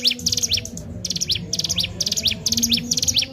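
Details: Sunda warbler used as a lure bird, singing high, buzzy, chirping bursts with quick swept slurs, somewhat uneven in spacing, over a low background hum.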